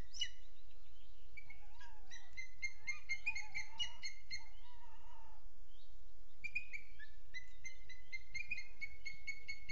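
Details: Booted eagle, Sierra de Guadarrama National Park webcam, 12 June 2022 at 07:20: rapid strings of clipped, high-pitched notes in two bursts, with some lower wavering tones between them and a short pause before the second string.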